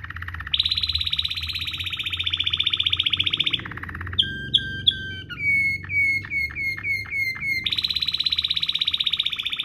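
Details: Waterslager-style canary rolling song for tutoring canaries: long rapid rolled trills held steady, broken by clear whistled notes and a run of repeated dipping whistles, then another fast roll.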